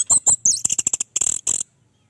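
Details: Rapid chattering stretch from an Orange-headed thrush: very high, sharp clipped notes fired in quick bursts for under two seconds, then silence. The recording serves as a lure for a bird that has stopped singing.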